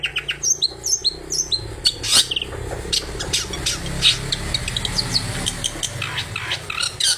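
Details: Long-tailed shrike song used as a lure for other shrikes, full of mimicked material: sharp high chips and whistled notes repeated rapidly over a steady low hum and background noise.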